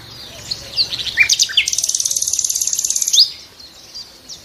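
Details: Several sharp slurred notes open a nightingale phrase that runs into a long, fast, very high trill of some twenty evenly repeated pulses ending in an upslur.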